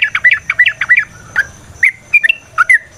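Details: Yellow-vented bulbul (trucukan) song played to provoke a fighting response, aimed at making a bird sing keenly: short bubbly warbled phrases in a quick run, then scattered single chirpy notes with pauses.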